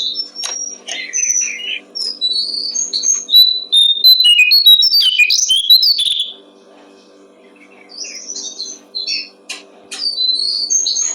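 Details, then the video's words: Brown-streaked flycatcher song recorded as a tutor track for training songbirds: rapid varied high chirps, trills and short whistled notes. A quiet pause falls midway, then the twittering resumes over a low steady hum. "Masteran burung jongkongan coklat"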